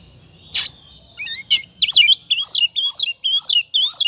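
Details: Lure song of a kacer, or oriental magpie-robin, in 'ngobra' state, meant to provoke other birds to sing. A harsh rasp is followed by a steady run of about seven looping whistled phrases, roughly two per second.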